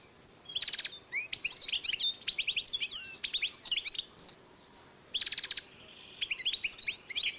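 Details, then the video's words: Hybrid of European goldfinch and canary, 2012, singing high sweet twitters broken by dry buzzy rattles, with a lull near the middle before the rattling phrase returns. "European goldfinch X Canary"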